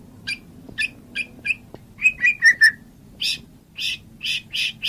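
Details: White-rumped shama training song: spaced whistled notes and short slurred phrases, followed by louder harsh chirps repeated at irregular intervals.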